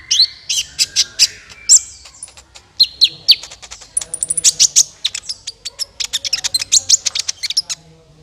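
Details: Lure recording of a sunbird (kolibri ninja) for bird trapping, with dense runs of thin, high-pitched chirps and quick twittering notes, some sliding downward, packed closely throughout.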